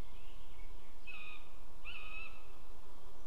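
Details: Buzzard in Estonia, 20 June 2015 at 18:00, during a prey delivery at the nest; two short, high, mewing calls, the second slightly rising then level, over a constant hiss of background noise.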